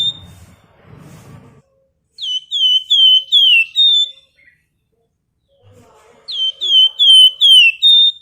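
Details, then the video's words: Flamboyan bird in full active song, kept as a lure bird: two bursts of five or six bright whistled notes, each sweeping down and repeated about twice a second, with quiet gaps and faint low noise between. "Burung Flamboyan Gacor Ngebren Rapat Nyerecet Nyiul"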